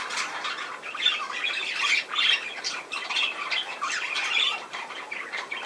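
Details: Budgerigars giving dense, overlapping scratchy chatter with harsh squawks and bright warbled notes, loudest bursts around one and two seconds and again near four, continuous throughout with little pause.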